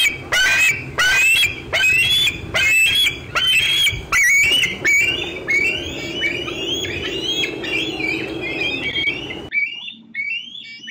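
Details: A young bald eagle keeps squeeing near the LOTO nest box on an afternoon in June 2013 as an adult feeds on fish nearby. Shrill piping squeals repeat rapidly, strong at first, then trailing into softer, ragged notes before fading out.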